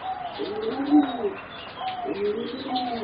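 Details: Competition-bred singing zebra doves, four youngsters roughly 3.5 to 4 months old. Soft, bubbling, arched coo phrases come in two rolling bursts, each note rising then falling, with light chirps above.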